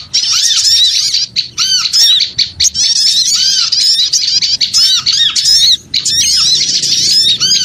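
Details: Shrill chorus of small birds for luring, dense squeaky chatter and lower arched whistles repeating about once a second, broken by a few brief silences.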